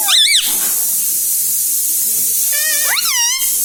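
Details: Pet parrot taught to say "mummy" and "mithu": two short harmonic, wavering vocal bursts, one at the start and another near three seconds, over a steady loud hiss.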